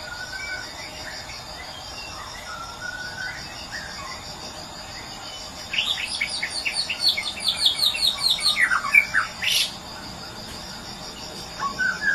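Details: After several seconds of steady high buzzing, a white-rumped shama from Medan bursts into a rapid rattling series of sharp repeated notes, then falling whistles, before the drone returns with a few soft notes.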